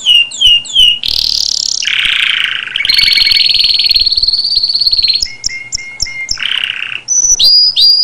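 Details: Canary song made of quick downslurred notes, shifting buzzy rolls, a fast sustained high trill, short repeated chips, and more swooping phrases at the end.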